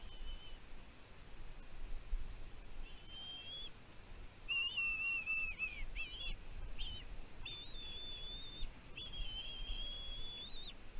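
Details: Bald eagle chick at a nest on Catalina Island, California, USA, in June 2023, calling about its mother's food deliveries: long high thin whistled notes, some wavering, and short chips, in bursts separated by pauses, over steady background hiss.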